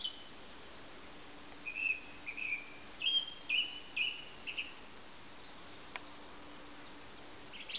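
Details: Song thrush in song: short whistled notes given in pairs, each pair repeated, then a few higher sharp notes, with quiet gaps and a steady faint hum.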